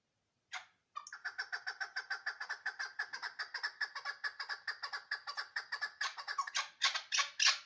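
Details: Chukar partridge from Ishkoshim calling: after two brief opening notes, a long even train of rapid, clucking chuk notes, about three to four per second, growing louder and harsher toward the end.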